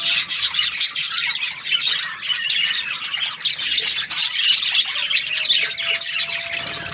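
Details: Happy budgerigar chirping: continuous busy twittering and harsh squeaky notes from more than one bird, rapid and overlapping throughout, with a thin steady tone in the background.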